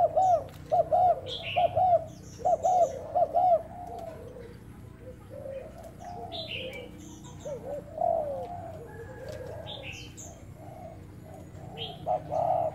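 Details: Thai-type spotted dove used as a decoy, trial cooing on 1 November: a burst of quick looping coos early on, a quieter stretch with scattered soft notes, then more coos near the end, with other birds chirping high.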